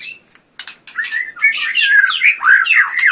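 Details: White-rumped shama starting after a brief pause with soft notes, building into loud, varied whistled slurs and high chirps.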